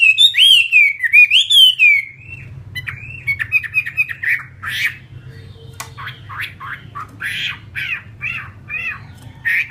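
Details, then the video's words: Captive fighting Chinese hwamei: two seconds of rich looping whistles, then a broken stretch of short harsh chips and squawky notes against low background noise. "Họa mi chiến"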